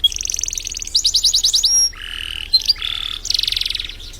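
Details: Canary in 'gacor' master song for bird training: a bright buzzy trill, a quick sequence of pulsed notes, a sustained high whistle, then lower buzzy phrases and a final rapid trill.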